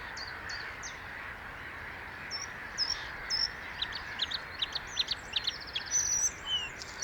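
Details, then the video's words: Bluethroat singing with a few spaced high whistles, then a busier stretch of chirps, a buzzy rattle and thin sliding whistles. "Cute Bluethroat singing (Luscinia svecica) - Blaukehlchen"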